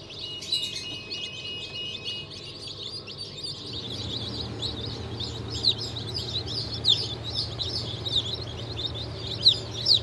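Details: Freshly hatched chicks, turkey, bantam, Sussex and Australorp, from a 31 May 2023 hatch: high, falling peeps repeating about twice a second, with a steady electronic tone at first, then a low hum.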